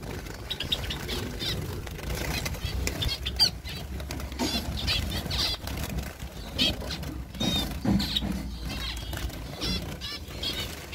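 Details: Summer recording of zebra finches from Tripura in northeast India: short nasal, trumpet-like notes in scattered bursts over steady wing flapping and low rumbling noise.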